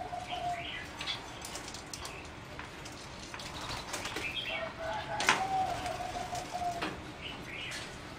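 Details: Competition-bred singing zebra dove in a flight cage on 30 April 2014, giving short clear tonal notes early and then a longer drawn-out phrase midway, amid noisy rustling, wing flaps and a sharp click.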